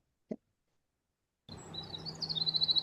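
A brief burst of Winter Wren song: very high, tinkling notes running into a fast, pulsing trill, after a soft knock and over a low hum.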